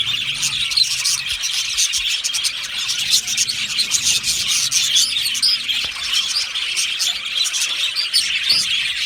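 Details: Colony of Australian budgerigars in an aviary producing constant high, rasping chatter and quick chirps, many voices overlapping evenly throughout.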